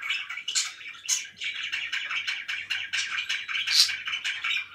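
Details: Pet budgerigars kept indoors, a dense continuous chatter of many short chirps and warbles, with occasional higher sharp notes standing out above the steady twittering.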